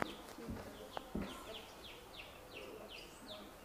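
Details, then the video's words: Newborn baby chickens giving thin, high, downward-sliding peeps, repeated about every third of a second, over a steady background hiss and a few soft low thumps. "New born baby chickens"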